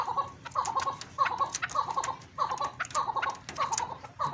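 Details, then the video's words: A captive chukar partridge on a breeding farm, being paired in breeding season, gives hoarse clucking chuk bursts at an uneven pace beside two females while a pet cat sits nearby; it is unusually calm, chukars normally scream at cats, and later stops calling. "चकोर इतना नहीं डर रहा, वरना तो चकोर बिल्ली को देख के बड़ी चीखें मारते हैं। ये आवाज़ें वगैरह लगा रहे हैं, इसके साथ ठीक होगी। कमीने को देखो,"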